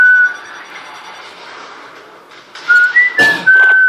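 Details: Indoor female pet parrot from a Quebec, Canada household whistling soon after first learning: a brief level whistle, a quieter gap with room noise, then a stepped run of clear whistled tones rising and falling before settling steady.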